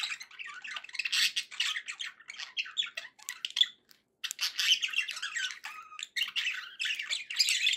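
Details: Pet budgerigars kept for company, warbling continuously with dense chattering, squawky and chirping notes, broken by a brief pause near the middle.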